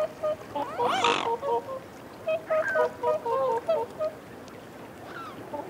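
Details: Whooper swans giving close reassurance calls while feeding on a bank: short nasal, trumpeting honks in quick runs, a burst near the start, then about ten evenly spaced honks with overlapping voices, fading at the end.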